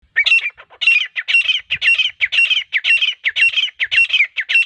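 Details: Hunting-lure call of a female grey francolin: loud, harsh, squawking notes repeated steadily, roughly two per second, with no other sounds in between.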